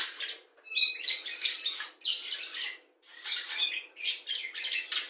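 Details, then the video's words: Mimicking budgerigar, taught cucak jenggot, kapas tembak, lovebird ngekek and sparrow-fight sounds for tutoring songbirds; softer, scratchy chattering phrases with a few sharp squeaks, in three bursts divided by brief silences. "Parkit isian mewah cocok untuk memaster burung kicau"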